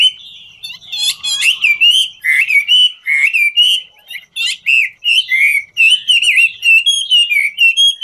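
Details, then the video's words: A Chinese hwamei, dancing while it sings, gives varied loud whistled phrases, some rising, some dropping, broken by short harsh buzzy bursts and sharp clicks. "Họa mi ngũ trường hót múa cực chất"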